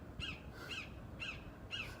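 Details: A bird calling from across the way outdoors gives four harsh, raspy calls, evenly spaced about every half second, over a low outdoor rumble.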